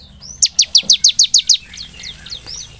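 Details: Lure song of a bar-winged prinia meant to trigger lively singing: eight crisp, evenly spaced high down-slurred chips, then fainter, softer twittering notes trailing off.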